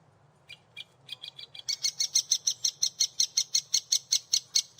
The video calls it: Woodpecker chicks/ Specht Küken/ Dzięcioł pisklęta